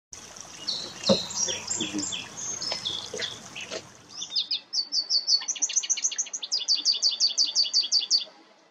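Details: American goldfinches in breeding plumage, the male with a black cap, singing: varied high twittering notes with a few soft low knocks, then a fast run of bright, evenly spaced chirps sweeping up and down, quickening toward the end.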